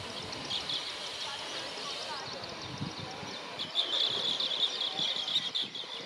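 Blue-cheeked bee-eaters give rapid, overlapping rolling chirps over a steady outdoor hiss.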